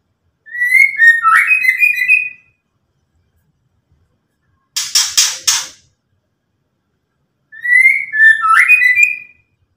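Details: Ketrekan call of a white-rumped shama, meant to rile rivals: a twisting phrase of sharp whistled notes, then a loud harsh rattling burst, then the whistled phrase repeated, with silence between.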